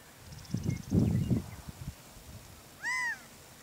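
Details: Gambel's quail calling in a wetland at Moapa, Nevada: after low rumbling thuds, a single clear arched note rises and falls.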